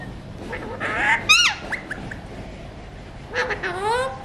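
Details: Non-stop talking Alexandrine parakeet, a mutation, eating seeds: mumbled speech-like babble, a sudden sharp squawk, short chatter, then a pause and a run of rising nasal syllables.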